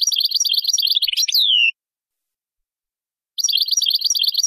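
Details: European goldfinch song used for teaching young birds: rapid twittering trills ending in a long, falling, drawn-out whistle, then silence before the quick chattering resumes.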